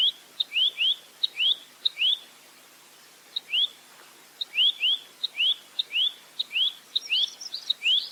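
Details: Rambatan mandarin, the velvet-fronted nuthatch, recorded clearly as a 'roll tembak' training tutor: quick doubled upslurred whistles, each preceded by a high tick, a silent gap midway, then faint extra chirps near the end.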